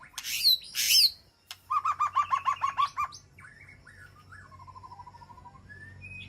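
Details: White-rumped shama calling to its flock inside a peaceful aviary: two loud harsh upswept notes, then a rapid series of about eight clipped notes, followed by soft whistles and a faint fast trill.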